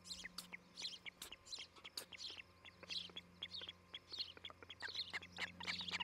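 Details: Osprey pair at their nest in Charlo, Montana, on a July 2018 morning, picked up by a nest cam: dense bursts of high, clipped chirps and whistles, irregularly spaced, with a constant low electrical hum beneath.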